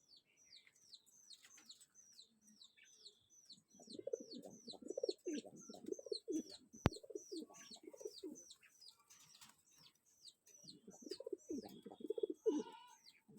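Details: Sirazi domestic pigeons coo in low, rolling bursts while small birds chirp sharply and steadily overhead.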